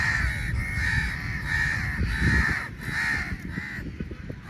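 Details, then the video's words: Large flock of crows fighting over meat while being fed, harsh overlapping caws repeated in quick succession, many birds calling at once over a low rumbling background. "Crow Birds Fight For Meat | Large Number Of Crows Naturally Awaz"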